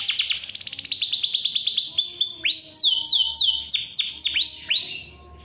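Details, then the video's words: A canary sings a clear, bright lure song for young or silent canaries: a fast rattling roll first, then looping rising-and-falling whistled notes in quick succession, ending abruptly. "KICAU KENARI GACOR SUARA JERNIH COCOK BUAT PANCINGAN || PANCINGAN KENARI"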